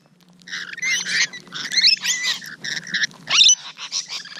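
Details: Rainbow lorikeets close at hand, morning of 12 June 2017, after a quiet start give raspy screeches and sharp, rising squeals in irregular bursts, with a faint low hum beneath.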